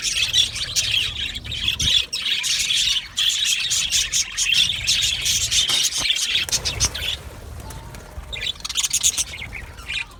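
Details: Aviary budgerigars fill the first seven seconds with dense, high chirping chatter, which then drops away to quieter scattered notes before a short final burst of squawks.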